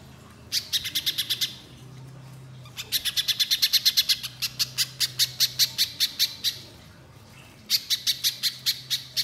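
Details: Spiderhunter in full, long-shooting song, used to make untrained birds start singing: bursts of rapid, evenly spaced high chips, one long run of about twenty, set apart by short pauses over a faint low hum.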